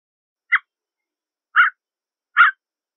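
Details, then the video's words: A Canada jay gives three short, harsh, husky notes roughly a second apart, mid-pitched and clipped; nothing else is heard. "Canada/Gray Jay Song! Canada/Gray Jay Voice! - Arrendajo Canadiense Canto"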